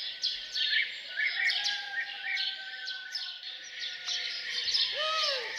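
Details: Birds singing their morning songs at a farmhouse, a steady chorus of high falling chirps and twitters, ending with a louder low slurred call rising then dropping.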